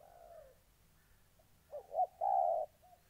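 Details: A moulting spotted dove kept as a decoy bird in Gia Lai, Vietnam, described as eager to fight, gives soft, low, hollow coos on 14 August 2020: a faint drawn-out note, then three rising coos ending in a fuller one.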